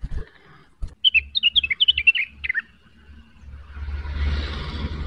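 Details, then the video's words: Blue-winged leafbird (cucak wilis) singing vigorously in the rapid neritik style while seeking a rival: one burst of quick, chattering whistled notes lasting about a second and a half, then low rustling noise. "Rengganis gacor neritik mencari lawan, pancingan cucak wilis cepat emosi terpancing bunyi"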